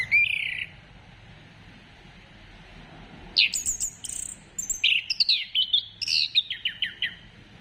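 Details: Orange-headed thrush singing as a prompt for other birds: an opening whistled phrase, a pause, then an energetic sequence of varied whistles and a fast descending series of repeated slurred notes.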